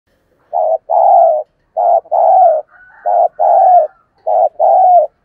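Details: Spotted dove cooing, used to stir other doves to call: soft low hooting notes in repeated pairs, a short coo followed by a longer one, about every one and a half seconds.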